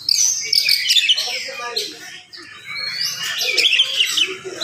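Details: Morning song of an oriental magpie-robin, delivered fast and tightly packed to provoke other magpie-robins: bright sweeping whistles and twittering runs in two long bursts separated by a short lull.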